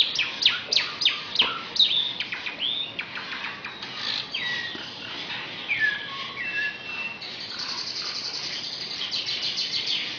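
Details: Asian pied starling, Indonesia, in a song laced with magpie-robin and canary imitations: a burst of rapid downslurred chirps, varied whistled phrases with falling and rising slides, then an extended rattling, canary-like trill.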